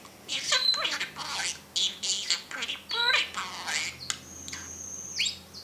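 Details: A caged parrot mixes talking-like syllables with harsh squawks and sliding notes, ending on a long high flat whistle.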